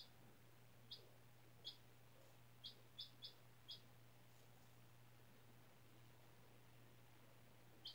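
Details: Short, sharp high peeps from a 4-day-old chicken chick raised by a school class, hatched April 17, kept indoors on fresh bedding; about seven chirps in eight seconds, loosely spaced, with a low hum underneath.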